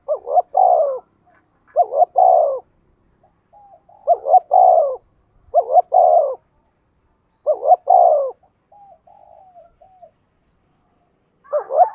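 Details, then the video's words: Spotted dove giving a fight-provoking coo: repeated three-note phrases, two short rising hoots and a drawn-out falling note, about every two seconds. Soft lower murmurs fill the gaps. "tiếng chim cu gáy thúc đấu"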